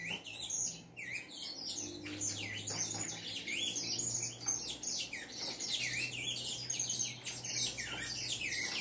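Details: Saffron finch in sustained song, a rich stream of high chirps and looping, V-shaped slurred notes repeated rapidly, over a low steady hum.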